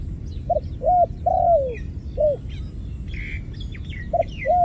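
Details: A dove gives low, hollow coos: two short notes, then a longer note sliding downward. The phrase is repeated, with higher chirping from other birds in between.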